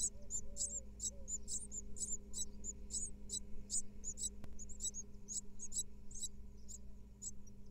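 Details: Great tit chicks in a camera-watched nest box in Israel, second clutch of 2022, begging while the female feeds them and cleans the nest: thin high squeaky bursts in quick succession, a single click, over rumbling low noise.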